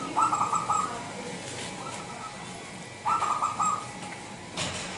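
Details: Zebra dove of local Indonesian wild stock, its lure call for attracting other doves: two quick bubbly trilled bursts about three seconds apart, with a soft click toward the end.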